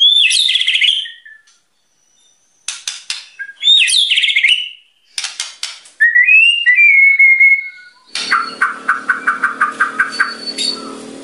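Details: White-rumped shama in full song, described as provoking other birds: bright warbled whistles in separate bursts with crackly notes between, a clear sustained whistle, then a closing buzzy, harsh series of about a dozen quick repeated notes.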